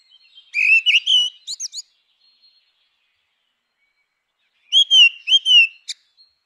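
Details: Grey-winged blackbird singing two rich phrases about four seconds apart, each a quick series of fluty whistles and sharp high notes ending with a brief chip, with silence between phrases.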